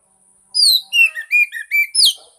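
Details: Oriental magpie-robin lure song for a silent bird: a sequence of five or six clear, loud whistled notes, some slurring downward, others upward, spaced about a third of a second apart.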